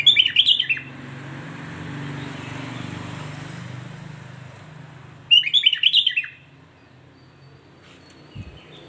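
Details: Sooty-headed bulbul song meant to provoke rival bulbuls: two bursts of rapid, bubbly chirping notes about five seconds apart, with a low hum in between and a soft thump near the end.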